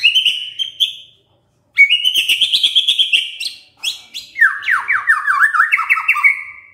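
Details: White-rumped shama singing in the morning to stir a silent shama into song: sustained whistled phrases, a pause, a long warbled run, then rapid looping down-and-up notes.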